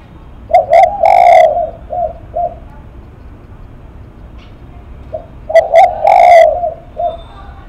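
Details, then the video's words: Spotted dove singing lắc mặt cooing: each phrase opens with two short notes, swells into a long rich coo, and trails off in softer short notes, heard twice. "Cu Gáy Lắc Mặt"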